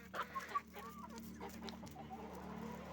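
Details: Chicken farm with roosters and hens: a few sharp, bright clucks in quick succession at the start, then fainter scattered murmurs from the flock over a constant low droning hum.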